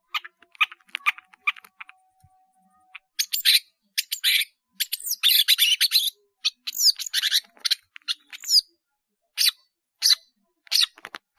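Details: Caged long-tailed shrike, in full song with many filler phrases for bird training: soft ticking notes at first, then loud jumbled chatter, squeaks and sweeping whistles with short pauses.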